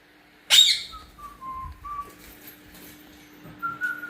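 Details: Pet cockatiel in a room, answering its owner's whistling: one loud, harsh screech, then a string of steady whistled notes that step down in pitch, and a higher whistle at the end.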